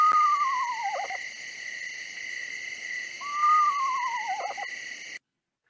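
Eastern Screech-Owl giving two descending, horse-like whinnies about three seconds apart, each sliding down and ending in a quavering trill, over a steady electronic whine.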